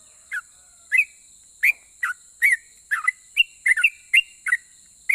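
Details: A sooty-headed bulbul sings to draw replies from other bulbuls: bright, slurred whistled notes, some rising, some falling, delivered irregularly about two per second against a steady background hiss.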